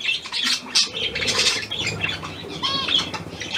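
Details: Newly acquired hand-tame pied budgerigar, Australian type, 17 February 2023: squeaky grating chatter with a clear whistled note near the end and soft fluttering and rustling in the background.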